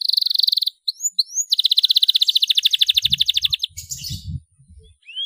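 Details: Canary singing vigorously as a lure for untrained young canaries: a high rapid trill, two upslurred whistles, then a long steady pulsed trill lasting about two seconds, followed by a rasp, with soft low thumps in the background.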